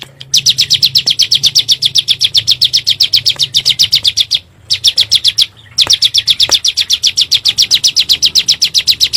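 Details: Bar-winged prinia, called ciblek gunung, in 'nembak' style as a provoking lure for caged birds: long, dense series of high rapid chirps, broken twice by short silences.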